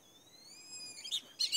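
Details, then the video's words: Captive Black-bellied Whistling Ducks: a long, clear, high whistle holds steady and then slides slightly, followed by a few short, sharp whistled chirps. "whistling ducks"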